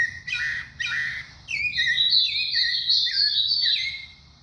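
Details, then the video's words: Thrush (sabiá) pouring out a fast string of varied whistled notes, some falling, some held high, in one continuous phrase. "sabiá do Cícero."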